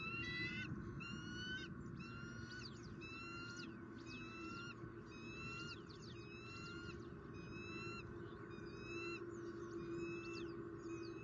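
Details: A nesting pair of bald eagles in Southwest Florida, 2019, sharing a fish dinner on the evening of the first egg. Rapid, chattering peals of high squeaky whistles tumble one after another, with constant low rumble underneath.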